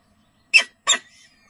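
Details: Peregrine falcon during feeding gives two harsh, raspy screeches about a third of a second apart, high and hissy in tone, followed by a faint thin trailing sound.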